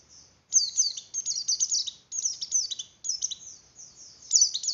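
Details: Breeding-condition song of a Javan grey-throated white-eye, played to arouse other white-eyes: bright, high-pitched twittering bursts of quick downslurred notes, four phrases each lasting under a second with short silent pauses between.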